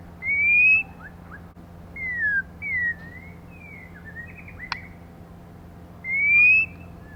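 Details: Female white-rumped shama, used to stimulate males, sings a rising whistle, then falling and wavering slurred notes with a sharp click, and after a gap a final clear rising whistle.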